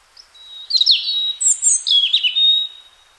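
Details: European robin, a wild bird in spring, sings a short, liquid phrase: a soft introductory note, then bright cascading whistles, a piercing high slur and a long fading thin whistle. Clean recording with no other noise.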